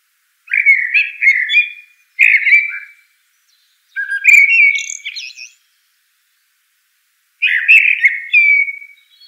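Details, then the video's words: A common blackbird delivers four warbled phrases a few seconds apart, each opening with full mellow whistles and trailing into sharper, higher twittery notes; the background is silent. "Bird Song - Common Blackbird"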